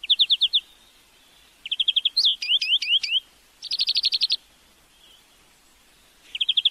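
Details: European greenfinch song recorded as tutoring material for teaching a bird to sing: short bursts of rapid, evenly pulsed trilled notes, then a run of quick rising slurred whistles, a pause, and more fast trills.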